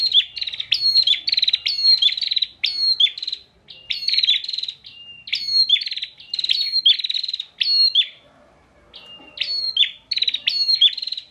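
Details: Persistent song of a caged bar-winged prinia, Pemalang, Central Java, recorded as a tutor for other songbirds: long series of high piercing whistles and rattling buzzy pulses in tight bursts, with a brief pause near the eighth second.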